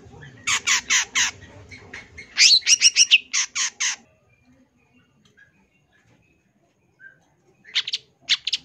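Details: Champion long-tailed shrike with a song full of filler phrases: bursts of harsh, rapidly repeated scratchy notes, a long quiet pause with a few faint chips, then another short harsh burst.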